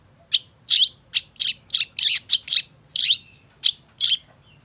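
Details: Long-tailed shrike song used to stimulate other shrikes: a string of about a dozen harsh, rasping, buzzy notes in uneven rhythm, with short gaps between them.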